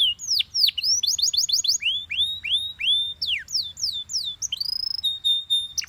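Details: Powerful song of a yellow Belgian canary: varied whistled slurs, quick rolling trills and repeated down-sweeping notes, ending on a steady held whistle.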